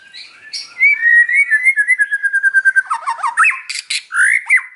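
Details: White-rumped shama singing in the afternoon: a long steady whistled trill of quickly repeated notes, dropping slightly in pitch, then jumbled slurred whistles and a sharp rising phrase.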